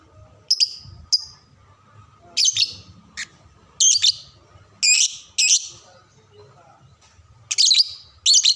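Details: Lovebird tutor recording meant to teach young birds to sing: sharp, very high chirps and squeaky bursts, singly or in quick pairs, separated by short gaps with a faint steady hum underneath.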